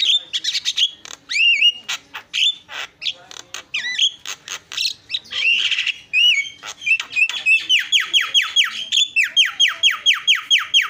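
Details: Javan myna singing vigorously: a jumble of squawks, clicks and twisted whistles, building into a fast run of about twenty repeated down-slurred whistled notes at the end.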